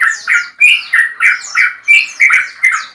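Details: Male Yellow-vented Bulbul in a long 'ropel' song used to call a rival: rhythmic, bright chirped phrases repeated roughly every third of a second, with occasional thin whistles above.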